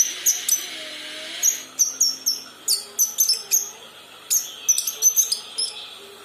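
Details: Juvenile kinoi practising its song, giving spaced bright chirps and quick downslurred whistles in loose clusters, pausing between groups, over quiet low background noise.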